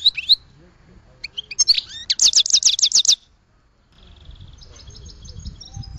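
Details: Goldfinch twitters and a fast rattling trill of about a dozen notes, followed by a faint high thin trill over low background rumble.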